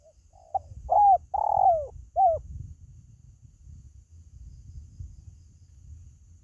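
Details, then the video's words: Spotted dove calling, recorded to attract pet birds: a quick run of four soft, mellow coos, each ending with a downward slur. A steady low rumble of background noise follows the coos. "SUARA PANGGILAN BURUNG TERKUKU"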